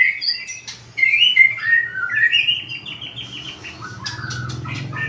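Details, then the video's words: Song of a white-rumped shama with a 20 cm tail: rich, fluting whistled phrases, then quick chattering notes running on, over a faint low hum in the background. "burung murai ekor 20cm suara mantap ngeplong"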